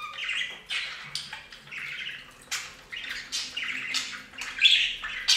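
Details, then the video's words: Bathing budgerigars give a run of short, scratchy chirps and chatter notes roughly one to two per second, each often starting with a sharp click, over a faint low hum. "Best Budgie Bath EVER! + Budgie sounds"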